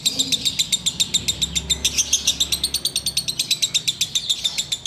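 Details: Ngekek-style singing of a sooty-headed bulbul, enjoyed while waiting for the fast to end: a long, unbroken run of loud, crisp clicking notes, roughly four per second, steady throughout.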